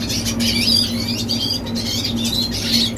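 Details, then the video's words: Young red siskin singing a fast, scratchy twitter of high chirps and short thin whistles, with a steady low hum underneath throughout. "Teen Red Siskin Singing - Chim Red Siskin Hót"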